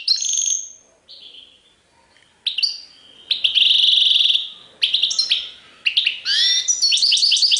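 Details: European goldfinch singing Serfati Tiwawati style song: a loud, grating buzzy trill set among bright twittered notes, short pauses and several rising chirps near the end.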